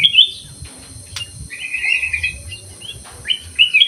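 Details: Black-crested bulbul singing inside an aviary: a quick whistled burst, a sustained warbling phrase mid-way, then lively closing notes, over a continuous high hiss and a sharp click.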